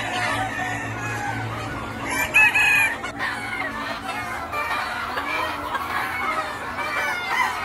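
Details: Mixed flock of Noi, bantam and crossbred chickens kept free-range in a wide yard by day; many overlapping birds give drawn-out harmonic calls, clucks and a rising crow-like note, a continuous busy chorus over background rumble.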